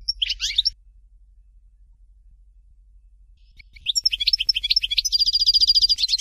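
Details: Goldfinch song in the Algerian Dalya style from Fort de L'eau. A brief scratchy chirp is followed by a pause, then quick tinkling notes that build into a fast, evenly repeated high trill.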